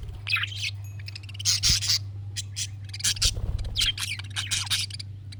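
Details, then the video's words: Budgerigar chatter played so a pet budgie will answer: bursts of scratchy, squeaky chirps and warbles in clusters, with a steady low hum underneath. "MUHABBET KUŞU SESİ Kuşunuz Bu sese Karşılık Verecek Kuş Sesi"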